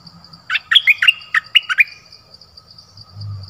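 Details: Streak-eared bulbul uttering a short phrase of about seven crisp, bubbly chirps over a faint low rumble.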